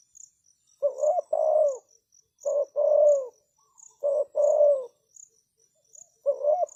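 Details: Lure call of a decoy spotted dove meant to attract wild doves: four paired coo phrases, each a brief note then a sustained falling coo, spaced about 1.7 seconds apart, with steady insect chirps behind.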